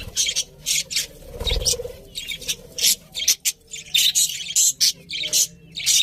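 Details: Budgies chirping in short bursts of sharp, high chatter broken by brief pauses, with a dull thump and low rumbling noise in the background.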